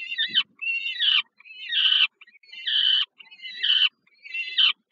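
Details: Peregrine falcon nestlings begging as their mother feeds them in the evening, Termika Żerań, Warsaw, Poland, 15 July 2022: about five hoarse, quavering screams repeated roughly once a second, each ending in a falling tail.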